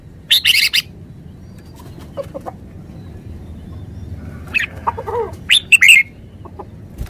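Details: Red-whiskered bulbul: a harsh, broadband chattering burst at the start, then scattered short low notes and a bright, warbled phrase near the end, over a steady low rumbling background.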